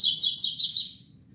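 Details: Tuitui song of a rusty-collared seedeater at 6:30 a.m., 16 December 2019: one loud, fast phrase of four or five sweeping, buzzy high notes, fading into quiet.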